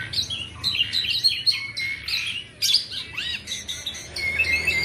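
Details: Asian pied starling, black and white, singing nonstop: rapid high chirps and buzzy bursts interleaved with a few long level whistles and one clear downward-arching note, with only brief gaps.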